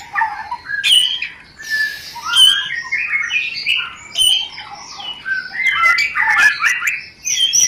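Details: Mating lure rencetan of a white-rumped shama: bursts of mixed whistles and buzzy chatter in short phrases, punctuated by sharp snapping clicks.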